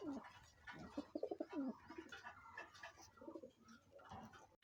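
Pigeons cooing indoors, a series of low, soft, throaty rolling notes.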